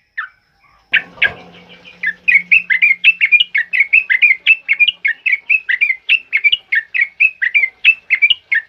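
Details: Sooty-headed bulbul in loud ropel singing, meant as a master recording for training birds: a rustle and low hum at the start give way to a dense, nonstop chain of bright, bubbling whistles.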